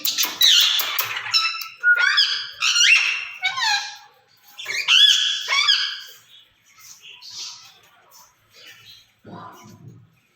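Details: Talking rose-ringed parakeets in a cage exchange a jumble of squeaky, warbling, speech-like syllables and brief whistles for about six seconds, then only soft faint murmurs follow.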